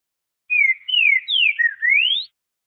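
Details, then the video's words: Green-winged saltator, southern song type: a short, loud phrase of four clear whistles, three falling slurs and a long rising final whistle, over about two seconds. "TRINCA FERRO CANTO DO SUL"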